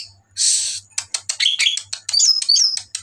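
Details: Greater green leafbird singing at night; a harsh hissing burst, then a quick series of sharp chips and bright looping whistled notes, with a faint low pulsing hum in the background.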